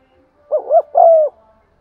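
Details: Spotted dove giving a clear urging coo used to rouse wild doves: two quick rounded hoots followed by one longer, slightly falling hoot, in silence.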